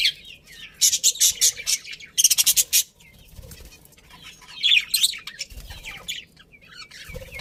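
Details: Happy budgerigars in a pet colony chattering busily: rapid clusters of high scratchy chirps and warbles, a quick burst of clicking notes, then more twittering phrases and soft low bumps.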